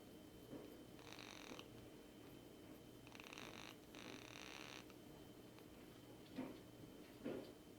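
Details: Petted pet rainbow lorikeet in its owner's hand produces drawn-out breathy purr-snores lasting about a second each, separated by pauses, followed by two brief soft clicks; low room hum beneath.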